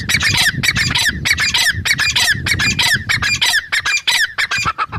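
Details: A female grey francolin, or teetar, calls in a continuous rapid series of scratchy, high-pitched squawks, packed closely together for the whole stretch, with a low rumble underneath.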